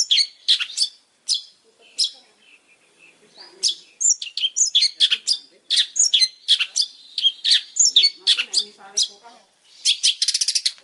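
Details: Long-tailed shrike in lively, varied song: dense strings of harsh, scratchy notes and chatters with short whistles, ending in a rapid buzzy trill; faint low sounds in the background.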